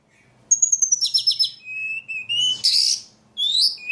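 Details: Energetic song of a ledekan: after a short silence, a thin high whistle, quick pulsed trills, level lower whistles, a loud harsh burst, then a final rising whistled phrase.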